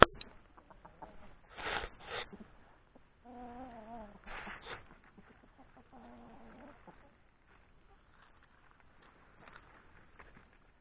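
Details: Turkeys give sharp bursts and wavering, quavering alarm calls as a hawk passes overhead; roosters also sound the alarm, and the male turkey stays exposed facing the threat while the flock hides.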